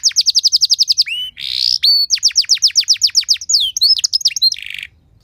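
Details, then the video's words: Song of a canary used to stir other canaries into singing: a rapid trill of falling notes, a harsh buzzy note, then a long series of fast repeated sweeps ending in a chattering, rasping flourish. "Materan Burung Kenari Lagu Istimewa! Cengkok Mewah Bikin Kenari lain Ikut Terpancing jadi Gacor"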